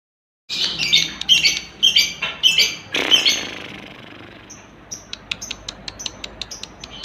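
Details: Lovebirds on a lure recording meant to set other lovebirds singing ngekek: a run of sharp, high squawking chirps about twice a second, fading into scattered faint high ticks.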